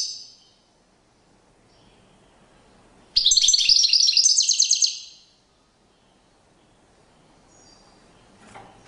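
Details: European goldfinch singing during a courtship display: a single dense burst of bright, high twittering lasting about two seconds, set between long quiet stretches.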